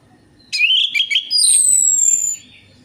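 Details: Lure song of an orange-headed thrush for prompting birds that will not sing: a quick chirpy opening, warbled whistles, then a long thin high whistle gliding gently downward.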